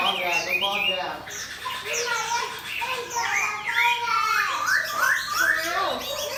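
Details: Caged Chinese hwamei competition bird, placed beside a fighting bird, its tail spread open; loud, varied whistled phrases with rising and falling slurs, rapid and rich, notes tumbling one after another without pause.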